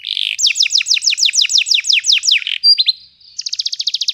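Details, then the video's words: Singing canary in a long rolling song meant to coach young birds learning to sing: a fast series of about a dozen sweeping downward whistles, a brief pause, then a quick buzzy pulsed trill. "GAcoR NgerollL Panjang, Pancingan untuk kenari Paud Belajar bunyi"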